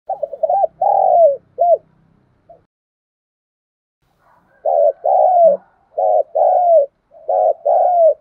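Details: Spotted dove from Đồng Nai, Vietnam, calling as a lure to stir up a decoy bird: one coo phrase of short rising notes and a long falling coo, then after a pause two more phrases of paired coos.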